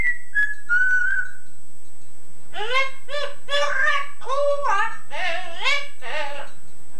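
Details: Captive male Yellow-naped Amazon parrot mimicking a woman's singing voice, even her scouser accent, from an old tape recording: a few short whistled notes, then a run of sung, voice-like syllables sliding up and down in pitch.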